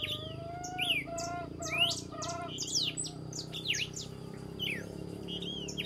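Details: Red-cowled cardinal singing at dawn: short whistled and slurred phrases, some sweeping up and down, over a busy chorus of other chirping birds and a steady low hum of background noise.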